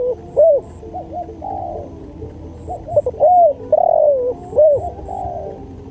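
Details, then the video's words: Spotted dove cooing, recorded as training material: soft low coos in a repeated phrase of short hiccupping notes and a long descending coo, with a pause between phrases and faint high chirps in the background. "MASTERAN SUARA TEKUKUR"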